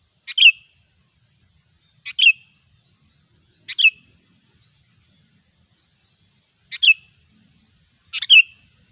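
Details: Wild sooty-headed bulbul delivering five near-identical short, bubbly phrases, each a clipped note leading into a brief gurgled flourish, spaced roughly every one and a half to three seconds in quiet surroundings.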